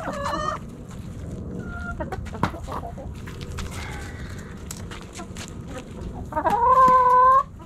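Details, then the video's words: Backyard chickens snacking at Thanksgiving: a short squawk opens, sparse soft clucks and clicks follow, then a loud, steady, drawn-out harmonic call lasting about a second closes the stretch. "Backyard Chickens Thanksgiving Snacking Sounds Noises Hens Clucking Roosters Crowing!"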